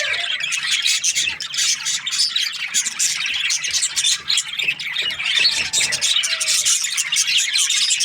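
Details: Budgies kept as breeding pairs in an aviary chirp together in a steady, crowded wash of quick high twitters and scratchy warbling notes, with a brief low whistle near the start.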